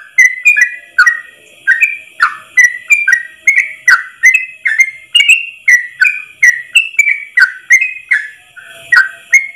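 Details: Long one-breath ropel song from a yellow-vented bulbul, kept as a training track for other bulbuls: nearly ten seconds of steady, fluty whistled slurs rising and falling in a lively, even chatter.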